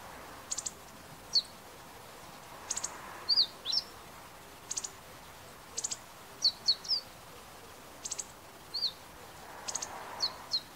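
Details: Meadow bunting filmed on a compact digital camera, giving short, high, clipped chips in pairs and triplets roughly every second, with occasional thin slurred notes, against quiet steady background noise.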